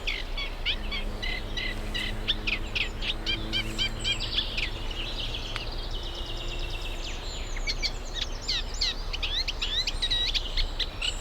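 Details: Reed warbler at a UK nature reserve in spring, as birds pair up and build nests; rapid chattering song of repeated scratchy notes, about four per second, over steady low background hum.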